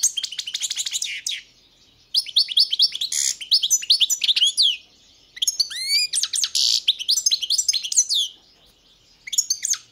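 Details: European goldfinch, a variety called 'crni', singing in high, rapid tinkling twitters and trills delivered in bursts of one to two seconds separated by short silences.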